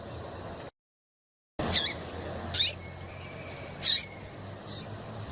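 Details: Calls of a female yellow-bellied seedeater, used by breeders to fire up males before contests: three sharp, high-pitched chips about a second apart, with a faint steady hum and a brief dropout at the start.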